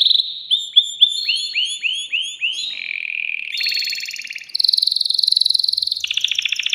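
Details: Excited caged male canary singing to arouse a female for mating; a series of repeated falling whistled notes, then a rapid high rattling trill held for several seconds.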